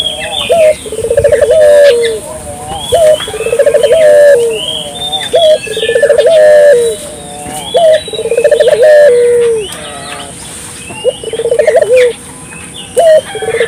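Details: Barbary dove calling steadily and vigorously to stimulate local doves, about six repeated phrases: sharp rising note, rolling trilled coos, long flat hoot, with many thin whistles and chirps of other birds throughout.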